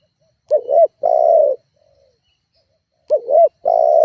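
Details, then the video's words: Spotted dove calling to provoke rivals as a lure: two phrases separated by a gap, each a quick wavering double note and then a long, flat coo. Nothing else audible. "Suara tekukur GACORR menekan emosi lawan"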